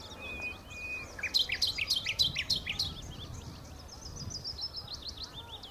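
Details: Common nightingale singing at the Horsmeertjes on Texel: a long thin whistle, then a rapid run of loud sharp repeated notes about three a second-half, followed by softer buzzy trilled phrases, with low rumbling background noise.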